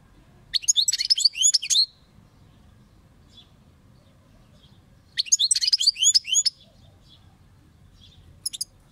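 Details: European goldfinch delivering two separate bursts of fast, tinkling twitters with trilled notes, divided by a quiet gap, plus a few faint short calls afterward.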